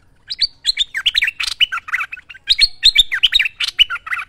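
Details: Master training recording of a bulbul singing energetically. Fast runs of sharp chirps and slurred whistles come in two near-identical phrases, each a tumbling series of bright rising and falling notes, with no other sounds present.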